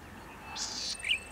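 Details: Male Golden-headed Cisticola singing near dusk in October 2017 (breeding season) at Pitt Town Lagoon, NSW, one of the last birds heard before dark: a single high, dry, insect-like half-second buzz, then one short clear note, over faint hiss.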